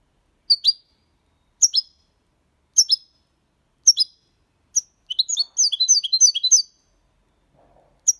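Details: Six-month-old goldfinch in clean Malaga-copy song: a series of separate, sharp two-part chirps spaced about a second apart, building into a quick jumble of liquid twittering notes, then one more isolated chirp.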